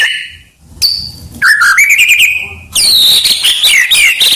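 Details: White-rumped shama song for training other songbirds: a high whistle, a pause, then a quavering trilled phrase and a bright, fast cascade of high sweeping notes.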